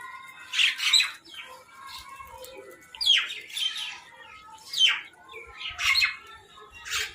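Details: Squabbling crows competing over food give coarse, grating squawks spaced roughly a second or more apart, and a fainter low murmur sits underneath.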